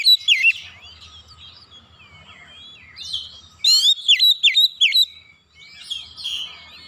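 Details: Oriental magpie-robin singing in a rapid 'nembak' style with loud emptied-out repertoire: bursts of sharp, steeply sweeping whistled notes around three to four per second, separated by quieter warbled mimicry and softer twitters.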